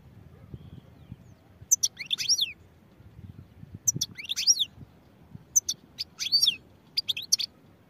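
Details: Short phrases of high, thin twittering and slurred notes from a European goldfinch, repeated in four separate bursts over several seconds against a quiet background.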